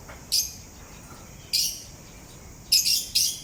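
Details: Parrot singing and grinding its beak: four short, sharp, high chirps spaced irregularly, the last two close together, with quiet between them.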